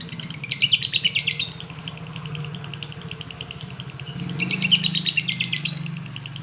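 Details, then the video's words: Lovebird singing koslet: two short bursts of rapid, piercing chirps separated by quieter chatter, over a noticeable low hum. "LB koslet/love bird"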